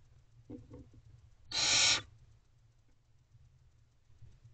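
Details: Single breathy, noisy screech of about half a second from a barn owl owlet in its nest box, morning of 17 May 2023, preceded by faint soft chittering and set against a low humming background.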